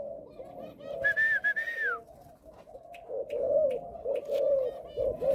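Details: Caged spotted dove, a Malaysian father bird with a stuttering coo opening. Low coos are topped early by one long whistled note that rises and then drops. Husky, wavering cooing phrases follow, repeated steadily, with faint clicks.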